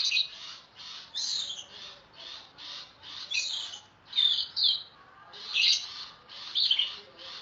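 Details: Oriental magpie-robin in loud, continuous song, played for tutoring other songbirds: a steady run of high, scratchy and whistled notes about once a second, with a few brighter, sharper whistles standing out.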